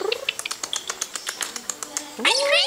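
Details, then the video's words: Pet six-year-old male galah (rose-breasted cockatoo) laughing: a quick run of dry, chuckling laugh notes, then a rising, nasal, meow-like squawk, possibly his imitation of the household cat; a person talks nearby. "Laughing Galah"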